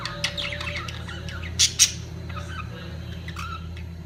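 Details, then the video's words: Budgerigars during their mating peak give scattered chirps, then two loud, sharp squawks close together, followed by quieter twittering, with a low hum underneath. "طيور الحب البادجي في قمة تزاوجها"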